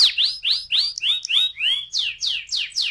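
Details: Canary song of slow, separated notes, each a swooping high slur, some rising and some dropping, around three per second.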